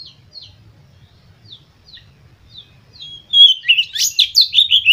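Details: White-rumped shama song aimed at triggering other shamas: spaced soft high chips for three seconds, then a loud, fast outburst of rich sweeping and buzzy notes.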